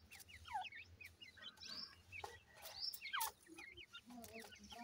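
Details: Grey francolin chicks kept at home give a busy stream of short, thin chirps and peeps, many sliding downward, overlapping one another almost without pause, with scattered sharp clicks and faint rustling between them.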